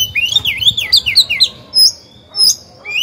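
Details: Oriental magpie-robin used as a decoy to provoke wild birds, delivering a fast string of looping, up-and-down whistles, then a few separate, strong, level whistled notes.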